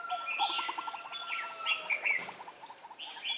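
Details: Caged red-whiskered bulbul decoy at a trapping site, December 2016, singing a challenge song of quick bright warbled notes, while a steady rapid series of lower pulsed notes ticks underneath throughout.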